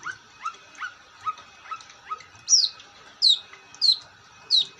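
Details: Long-tailed shrike in lively song: six quick upslurred notes about half a second apart, then four loud, sharp descending whistles repeated under a second apart.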